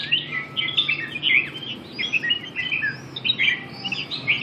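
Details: Song of a red-whiskered bulbul with red eye-ring dancing on its perch: tumbling, buzzy-edged whistles and liquid warbles given in quick clusters, with a faint steady tone behind.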